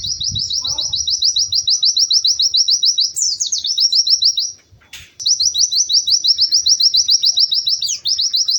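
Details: A white-eye (pleci) delivers long chains of rapid rising whistled notes, several a second, punctuated by descending swoops and a brief pause with a soft scratchy sound before the chattering series resumes.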